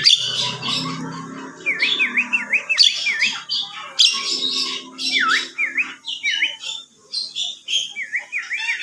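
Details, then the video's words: Whistling Javan myna: series of quick, clear V-shaped whistled notes in bursts, mixed with scratchy chatter and brief harsh notes. "Burung jalak kebo suara bersuit"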